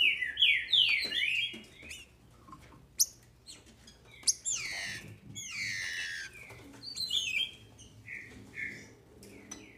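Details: Captive female green-winged saltator kept by a registered Brazilian breeder, singing to excite males: clear whistled notes sliding downward, given in quick runs with short pauses, plus clicks and faint chirps of other birds.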